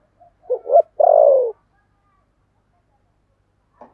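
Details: Single phrase from a spotted dove decoy with the 'thổ' voice: two short coos, then one extended, mellow, falling note, followed by near silence.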